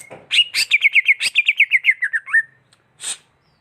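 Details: Greater green leafbird delivering a fast, even trill of about fourteen rippling whistled notes that slowly fall in pitch and end in a downward slur, then one short buzzy note.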